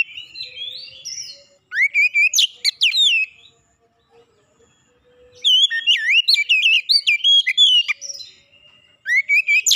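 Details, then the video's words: Oriental magpie-robin lure song meant to provoke another magpie-robin: loud bursts of sharp whistles, quick warbled twists and steep slurred notes, separated by short pauses and a soft low tone. "PANCINGAN KACER CEPAT panas GACOR naik emosi bongkar isian"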